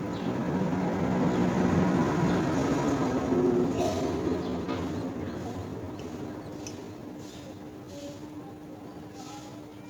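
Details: Steady rumbling of a passing train or vehicle with faint murmured voices and no clear animal call.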